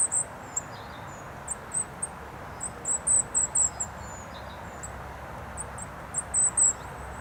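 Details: Goldcrest flitting through bushes at Rooksbury Mill Local Nature Reserve, overcast 3 December 2017. Very high, thin chirps come in repeated short flurries, with one longer run in the middle, over a constant wash of traffic from the A303.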